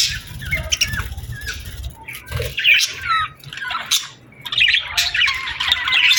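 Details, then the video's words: Evening birds chirp at sunset in summer, a busy mix of sharp twitters, sliding whistles and squawky notes from several birds, rising to a dense burst near the end. "Evening Birds Chirping Sounds Effect | Summer Birds Singing at Sunset"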